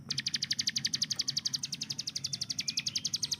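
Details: Hill prinia tutor bird pouring out its rapid 'tembakan' song, a quick rattling series of high clipped notes, while another bird adds a thin rising whistle in the background.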